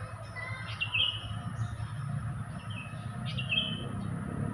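Sooty-headed bulbul giving two short bursts of bright, bubbling whistled notes about two seconds apart, over a steady low rumble of traffic-like noise.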